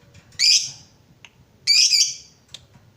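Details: Lovebird fighter bird calling to spur other lovebirds to ngekek; two loud, rasping, broad chirps about 1.3 seconds apart with faint ticks between, over a low background hum.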